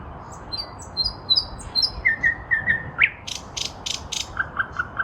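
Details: Nightingale singing from a lilac bush in spring 2023: varied phrases of thin whistles, repeated low notes, a sharp rising note, then a dry rattling burst and a few short pulsed notes.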